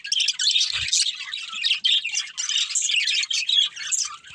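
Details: Pet budgerigars playing as a family group, keeping up a continuous busy chatter of high, scratchy chirps and warbles with no pauses.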